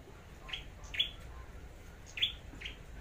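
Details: Flowerpecker chosen as a competitive singer and decoy, Long Thành, Vietnam: two spaced pairs of short, bright, high chirps, the second of each pair louder.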